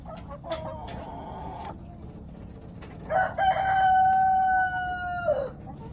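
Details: Chickens: a few short, strained calls come first. After a pause, a full crow is held steady and bright for over two seconds, ending in a quick downward slur, over a low background rumble.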